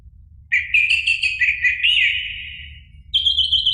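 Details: Orange-headed thrush song used to provoke a caged bird: a sustained run of warbling, slurred whistles that slowly falls and fades, then a brief high whistled phrase.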